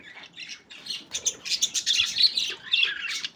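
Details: Several budgerigars playing together: dense, rapid chatter of scratchy chirps and warbles, mostly high-pitched, overlapping in quick irregular bursts.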